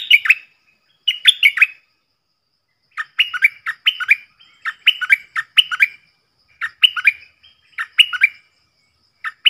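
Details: Recorded 18 June 2021, a cream-vented bulbul sings its doubled 'phleng boen' style: short clusters of two to four sharp, slurred whistles, repeated roughly every second after an opening pause.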